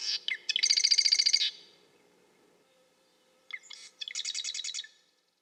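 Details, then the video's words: Marsh wren delivering two gurgling, mechanical songs, each starting with short clicks and then a fast rattling trill of about a dozen buzzy pulses, separated by a two-second pause. "Marsh Wren - Bird Sounds"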